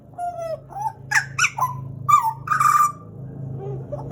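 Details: Pied butcherbird, a caged Papuan bird kept for about two years, gives loud fluting notes, some gliding down, with sharp chirps in between, over a steady low hum.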